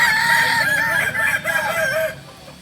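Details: Kokok Balenggek rooster crowing at a joint crowing practice in Kota Solok: one long, loud crow in several wavering, stepped notes that dip and rise in a rolling pattern, then cut off and fade to background hiss.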